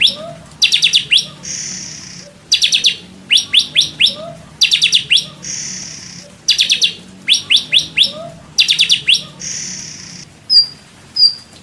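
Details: Indonesian white-rumped shama training recording: a high, clipped phrase of rapid chips followed by a buzzy note, repeated about every two seconds, with a few thin whistles at the end.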